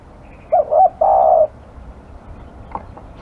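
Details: Aggressive spotted dove giving one full phrase: a quick double coo, then a sustained rolling coo. A soft tapping sound follows.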